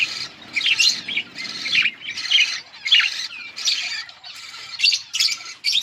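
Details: Budgerigars, colourful pet parakeets, chirping in harsh, buzzy bursts about half a second long, repeated with short gaps, with scratchy squawky notes and some rapid warbling.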